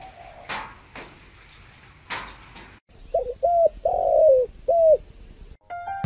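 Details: Spotted dove from a northern Vietnamese breeding garden in Ba Vì, its loud, clear coo phrase made of short notes around one long, wavering note, heard after several sharp clicks and knocks and followed by an abrupt tonal sound.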